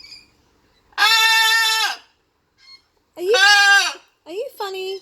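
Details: Pet blue-and-gold macaw squawking while playing: two long, harsh, buzzy squawks of about a second each, then a shorter rising squawk with a harsh tail, separated by brief silences.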